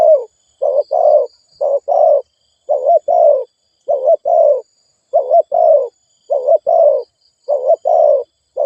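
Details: Spotted dove giving fast cooing used to stimulate decoy birds: low, mellow two-part coos repeated steadily, about one phrase per second, with faint high hiss in the background.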